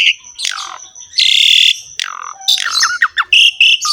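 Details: Asian pied starling in full song: harsh drawn-out screechy notes alternate with falling slurred whistles and short squawks, ending in quick choppy chirps, all over a thin continuous high tone.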